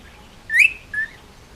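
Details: Pet male Indian ringneck parakeet from Oahu, Hawaii, almost two years old, giving two brief clear whistled notes, the first rising then bending, the second flatter and softer.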